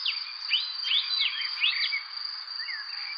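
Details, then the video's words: Bright arched chirps from a bird, several per second in the first two seconds, some doubled, then a few softer notes, accompanied by a steady high insect-like whine. "Bird Chirping Sound"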